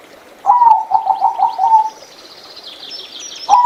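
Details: Zebra dove, a small mostly gray bird kept for its beautiful voice, singing one phrase of about seven rapid, rolling coo notes that falls slightly in pitch, with faint high chirps from other birds and a new phrase starting at the end.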